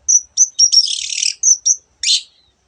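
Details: High sweet whistles from a long-tailed shrike lead into a long, dense, buzzy warble, followed by two more whistles and a harsh downward rasp, in a song of mixed imitated bird sounds.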